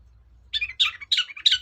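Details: Long-tailed shrike song played as a lure to get quiet shrikes singing: four harsh, scratchy, buzzy bursts in quick succession, each spread across a broad high band, with a faint low rumble beneath.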